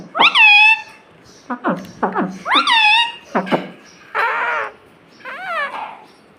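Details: Pet parrot that imitates the word "mummy". Several sharp, speech-like syllables come in quick succession, each with a strong harmonic ring, followed by two raspier, fading vocal sounds.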